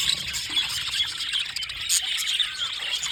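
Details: Two blue male budgerigars chirping: a dense, continuous high-pitched chatter of scratchy warbles and short squeaky notes with no pauses, over a faint low background rumble.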